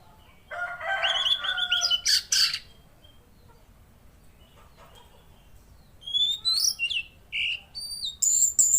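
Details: Velvet-fronted Nuthatch heard singing actively: a buzzy, noisy phrase, then after a pause a series of thin, high whistled notes with sharp slurs.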